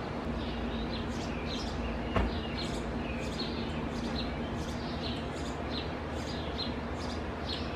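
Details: House sparrow pair feeding two nestlings in a cavity nest in an old Purple Martin house overgrown by tree branches; faint, short chirps repeated several times a second over a steady low rumble of background noise.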